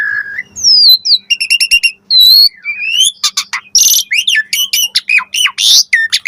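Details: Asian pied starling song packed with varied fill-in phrases, played as a lure to make other starlings answer; a rapid, unbroken run of clear rising and falling whistles, stacked chattering notes and harsh buzzy bursts with no pauses.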